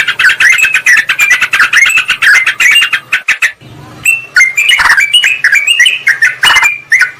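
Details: Sooty-headed bulbul lure recording, used to draw in wild birds by calling a rival. Dense runs of bubbly, chattering notes in the first half, then a short pause, then scattered, sharper whistled phrases.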